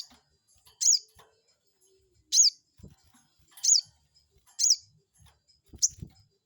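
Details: Crested jay lure call intended to make a rival respond: five piercing high notes, each briefly sliding down, spaced about a second or more apart, with faint low thumps between.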